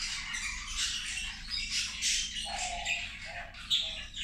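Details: Zebra finches feeding at lunchtime give a busy chatter of nasal, tinny squawks. Short lower-pitched honks appear near the end, and one sharp louder call comes just before the close.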